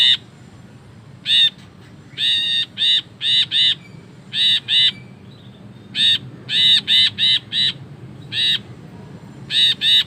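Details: Ashy bulbul in energetic, long 'ngekek' chattering style, used as a training recording for songbirds: short harsh nasal notes, singly and in fast bursts of two to four, spread through ten seconds over a low background hum.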